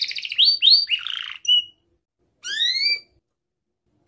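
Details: Young canary used as a song tutor: a brief buzzy rattle, rising slurred notes and a short whistle, then silence before one long upswept chirp and quiet.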